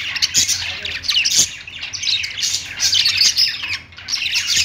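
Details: Pet budgies on a perch giving a rapid, scratchy warble broken by sharp squeaks, rising and falling in loudness in short bursts, with a dip in sound just before the end.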